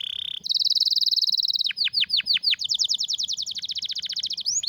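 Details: Loud canary song meant as a training master: a short whistle, a long even buzzy trill, several deep swooping notes, then a fast series of rising-falling sweeps closing with looping whistles.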